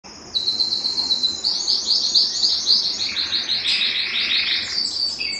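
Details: Belgian canary song meant to stimulate males and bring females into breeding condition: a high, rapid trill of repeated notes, rising into a faster, brighter tour after a second, then shifting to lower buzzy rolls near the end.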